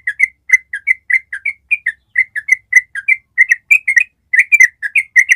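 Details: Yellow-vented bulbul in a long ropel trill used as a training recording: lively sequence of short, mellow whistled notes, bunched in twos and threes, sliding up and down in pitch.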